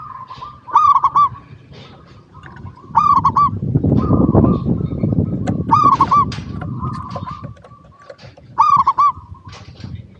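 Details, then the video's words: Song of a local zebra dove, captured as a lure to get other zebra doves calling, with four loud bursts of quick looping coos spread across the stretch, softer cooing between, and a broad low rumble midway. "PERKUTUT LOKAL GACOR PALING DISUKAI 🐦 Suara Asli Bikin Semua Perkutut Dimanapun Pasti Nyaut"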